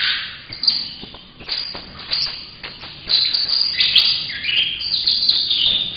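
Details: Young captive saffron finch, eight months old and now fully yellow, already giving a few notes: a rapid, uneven run of high chirps and short trills that grows louder and more continuous after the third second.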